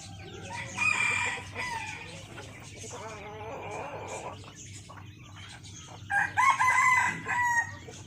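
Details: A red junglefowl rooster, a decoy cock, crows on an overcast, cold day: a short crow, then a longer one seconds later, each harsh and drawn-out, rising then falling, with a man talking quietly between them.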